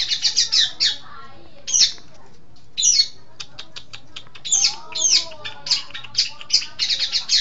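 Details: Long-tailed shrike tutor song for training birds: bursts of rapid, harsh, chattering notes broken by short pauses, mixing buzzy rasps and clipped ticks, with a faint wavering whistle underneath.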